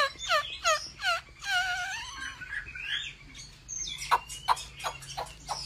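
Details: A Chinese hwamei trained for competitive singing at home delivers loud descending whistled notes in even repeats, a long sliding phrase, then a string of sharp clipped chips.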